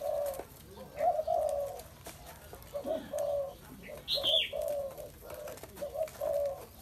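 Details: Spotted dove cooing steadily in a run of low, mellow, slightly burred notes grouped in twos and threes; a brief high chirp from another bird is heard once in the background.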